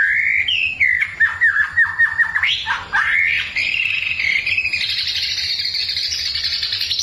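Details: White-rumped shama in vigorous gacor song on a training recording meant to provoke a neighbour's bird: a run of clear whistled notes, quick downward-slurred repeated phrases, then a long high buzzy rising warble near the end.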